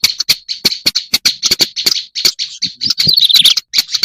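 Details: Black-browed reed warbler lure call used to attract birds: harsh, dry chattering of clipped high notes, irregular, several per second, with a short scratchy warbled run near the end.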